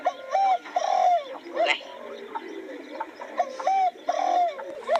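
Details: Spotted dove cooing: repeated phrases of soft, hoarse coos, each ending in a longer down-slurred note, recurring about every one and a half seconds, with a man talking over it.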